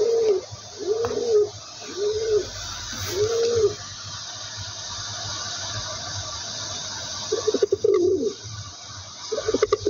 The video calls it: pigeon voice sound